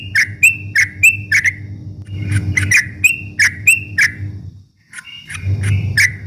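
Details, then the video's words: Yellow-vented bulbul in rapid ropel-style song used to provoke rival birds: quick sharp chirps with short whistled slurs, pausing near the end, over a steady low hum. "kicau suara trucuk ropel memancing emosi lawan"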